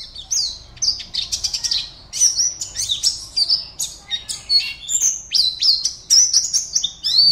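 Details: A captive pleci (white-eye), a contest entry from Pontianak in West Kalimantan, Indonesia, delivers a rapid, unbroken stream of shrill twittering and chirps, with sharp high notes packed closely together throughout.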